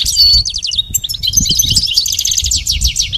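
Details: Goldfinch song recorded for teaching a pet goldfinch: a brief, dense burst of high, rattling twitters and a drawn whistle, followed by fast repeated chirping notes.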